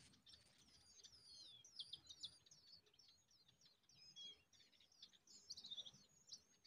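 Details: A cisticola carrying a large winged worm to its young gives quick, high, thin chirps and twitters in steady bursts, with a few fine drawn-out whistles above them over a soft background hiss.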